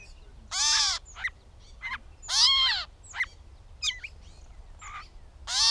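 A catbird gives three loud, harsh, cat-like mewing notes about two seconds apart. Short squeaky, chattering phrases fill the gaps between them.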